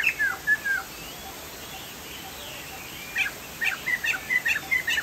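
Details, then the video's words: Chinese hwamei from Sumatra in full song: a few downward-slurred whistles, a softer warbling pause, then a quick string of bright looping whistled notes near the end. "POKSAY JAMBUL GACOR"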